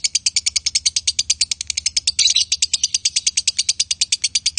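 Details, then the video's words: Konslet-style chattering from a male and female lovebird: a dense run of rapid high chirps, briefly broken midway by a harsher squeal, then resuming at the same fast, even pace. "Love Bird Jantan & Betina suaranya Bagussss"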